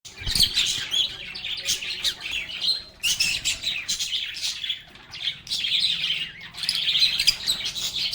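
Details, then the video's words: Lovebirds singing, playing and talking together in a calm setting: a dense, continuous chorus of high chirps and squeaky chatter, with bursts of overlapping twittering swelling and fading every second or two. "Lovebirds agapornis sounds | Relaxing Sounds of Singing, Playing, and Talking Parakeets"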